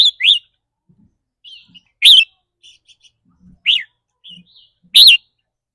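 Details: Red-whiskered bulbul kept as a cage bird, in a session of mood-dependent trilling: loud, bright, rising-then-falling whistled notes about every one and a half seconds, separated by soft chirps and faint low thuds.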